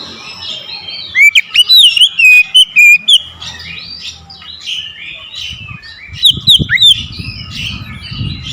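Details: Oriental magpie-robin giving aggressive song to challenge a rival, one loud burst of fast whistled notes, then softer phrases over low rumbling noise.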